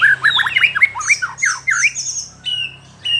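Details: Caged white-rumped shama singing to provoke rival shamas: rapid loud burst of varied whistled and chattering notes, then higher sustained whistles.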